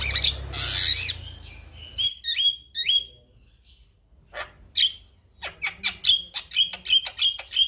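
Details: Singing male Javan myna whose voice other mynas are meant to imitate; a harsh noisy burst opens, then crisp downslurred whistles and a quick string of sharp chips repeated steadily.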